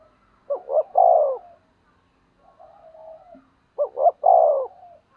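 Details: Spotted dove used as a decoy to goad rivals gives two coo phrases, each a pair of brief notes and a long drawn coo, with quiet soft cooing in the gap.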